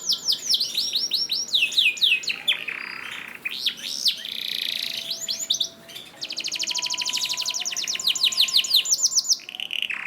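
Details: Canary master song for training: quick repeated looping whistles, a harsh buzzy passage, then a long steady rapid trill of rolled notes ending in a buzz.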